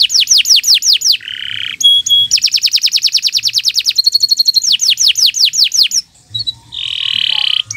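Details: Canary singing a long training song for other birds: rapid descending whistled notes, a nasal buzz, fast rattling trills, a metallic tone and further sweeping whistles in quick succession.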